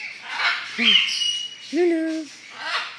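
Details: Pet hyacinth macaw greeting its owner with "hi": two short, low, voice-like syllables, each a slightly falling tone, indoors with a hissy background.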